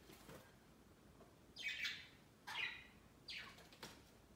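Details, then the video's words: Budgerigars kept as pets, climbing over a Christmas tree next to the bird cage on Christmas Day. Three soft, high chirps close together, each a short falling note, in a quiet room. "Budgies Flocking on A Christmas Tree 圣诞树上的小鹦鹉"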